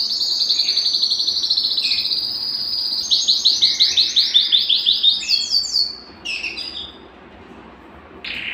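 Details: ['Belgian canary song meant to warm up males and bring females into breeding condition: a long, high rolling trill, then a run of loud pulsed notes, brief rising flourishes, and a quieter pause before a final note.']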